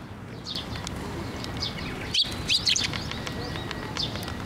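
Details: Sparrows flying in to take food from a post at a Tenmangu shrine, 12 May 2024; a few short, high chirps cluster around the middle, over a steady outdoor background hum.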